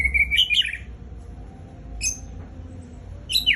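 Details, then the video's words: Murai Raja Rimba, or white-rumped shama, giving a fierce song burst: fast high chattering warble of squeaky notes, then a long quiet gap broken by a single sharp high accent and another chatter at the end. "Ganasnya Murai Raja Rimba SMBF"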